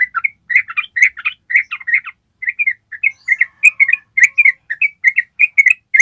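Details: Ropel trill of a yellow-vented bulbul, a tutor recording for training birds: rapid chattering, bubbly notes repeated in a long string, with one short pause near two seconds before the stream resumes.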